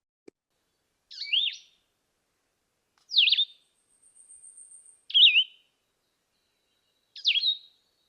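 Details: Cassin's Vireo sings short, husky, slurred phrases about every two seconds, with quiet pauses between them; a faint, thin, high note sounds between two of the phrases.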